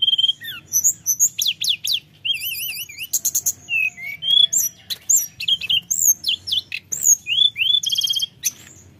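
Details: Constant high-pitched singing of a mountain flowerpecker, played to provoke reluctant birds to sing: rapid squeaky notes, short fluttering trills and rising whistled slurs, barely a pause, faint low hum behind.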